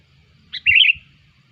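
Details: Single sooty-headed bulbul lure phrase, used to attract bulbuls: a short clipped note followed at once by a rolling, liquid warble lasting under half a second.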